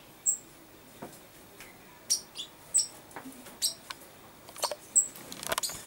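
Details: A common chaffinch, recorded 22 August 2013, gives short, very high, thin call notes about one every two seconds, among scattered clicks and rustling noises.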